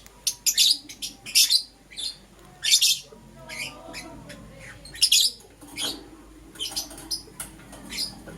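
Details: Pet lovebirds of Euwing, green opaline and lutino colour forms in the morning: shrill, sharp chirps in quick clusters, some doubled or tripled, with brief pauses between bursts and a faint low hum underneath.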